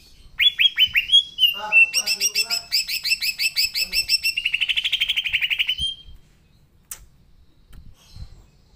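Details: Green leafbird (cucak ijo) in full, lively song: opening downslurred whistles, then a long fast chain of short sharp repeated notes that blurs into a bright rattling trill before stopping abruptly, followed by near quiet.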